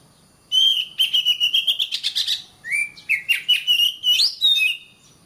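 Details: Oriental magpie-robin singing, a training song for caged birds: loud whistled phrases with a fast run of rhythmic repeated notes, then rising and falling whistles and more quick repeated notes.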